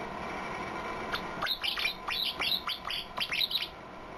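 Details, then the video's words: White-eye singing an unusual, strange-sounding fill-in song: a run of sharp, downward-sweeping chirps, tightly spaced over about two and a half seconds, against a low background hiss. "PLECI 🔊SUARA ANEH, ISIAN 👅💦ANEH"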